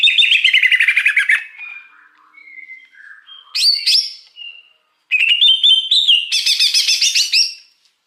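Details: Greater green leafbird in the wild, its song for luring birds: a rapid rattling run of falling notes, soft varied whistles, then a dense bright chattering phrase rising in pitch.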